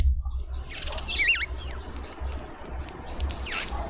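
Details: At a suburban garden feeder in Pretoria, South Africa, a hungry Cape white-eye gives a short, undulating whistled call early on, followed by a thin downslurred note and a later faint buzzy chirp, over background rumble.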